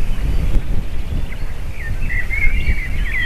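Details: Female eagle and eaglets crying at the nest, 7 June 2023; after a quiet start, a run of high, thin, quavering squeals builds toward the end, over wind-like low noise.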